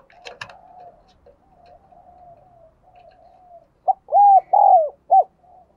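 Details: Decoy spotted dove cooing to attract wild doves: a brief click at the start, a long soft murmuring stretch, then four loud, husky, downward-bending coos in quick succession.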